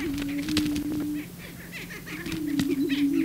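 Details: Prairie chicken males on the booming grounds displaying to a female; low droning boom with scattered cackles, wing flutters and clicking sounds.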